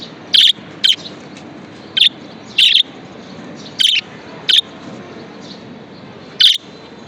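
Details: Pet budgerigar making loud, brief harsh chirps at uneven spacing, roughly thirty a minute, with faint warbling in the background.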